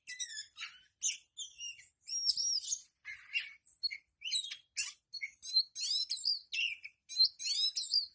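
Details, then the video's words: A kept oriental magpie-robin sings a lively, ever-changing string of clear whistled phrases, rasping notes and rapid chattering, each burst under a second long with brief gaps between. "Terapi Kacer buka ekor"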